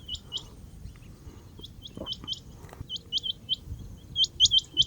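Rain quail giving sharp, high, metallic double notes in quick bursts, the pace picking up toward the end, over a faint low background rumble.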